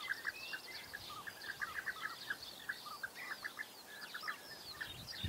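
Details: Bee-eaters, European species, uttering quick purring notes in irregular bursts, with higher twittering from other birds overlapping throughout.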